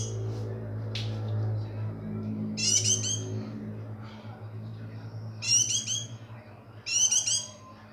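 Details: Bursts of rapid, scratchy, high chatter from a white-eye in breeding condition come in three loud phrases a few seconds apart, over a background of low humming and faint indoor noise.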